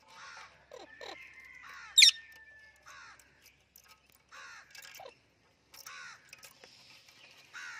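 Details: Talking Indian ringneck parrot making clicking sounds: a run of short, harsh, nasal squawks and clicks in bursts, with one sharp, loud click-squawk near the middle and brief quiet gaps between phrases.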